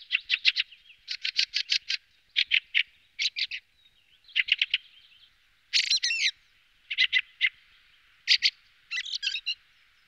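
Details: Fieldfare giving harsh, rattling chatter in quick clusters of four to six notes. The clusters are separated by short gaps, with one squeaky twisted phrase midway and a scratchy burst near the end.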